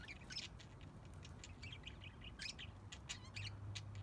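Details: Budgerigars in an aviary: rapid bursts of high chirps and short warbled notes tumbling over each other for four seconds, several birds calling at once, over a steady low hum.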